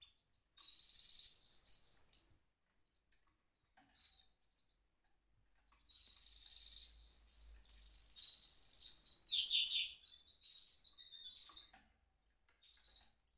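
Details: Caged goldfinch mule in a rolling song bout: two bursts of bright, high, fast-repeated twittering trills with sweeping notes, separated by a few seconds of silence and short isolated chirps.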